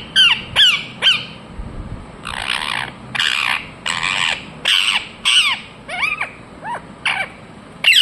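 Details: Ringneck parrot calling with shrill, downward-sweeping screeches mixed with longer, rougher, noisier squawks, spaced roughly half a second to a second apart.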